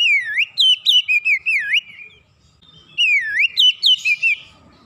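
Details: Gacor singing from an Oriental magpie-robin that had gone quiet until lured: two bursts of looping, dipping whistles, each of about six notes, separated by a brief silence.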